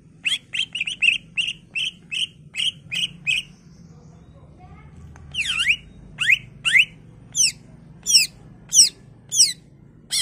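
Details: Greater green leafbird singing a full, varied song to prompt other leafbirds to respond: a long run of quick evenly spaced chips, a short gap, then slower loud slurred notes sweeping up and down at steady intervals.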